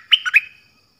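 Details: Sooty-headed bulbul uttering one short, rich phrase of three quick slurred whistled notes, the first and last highest.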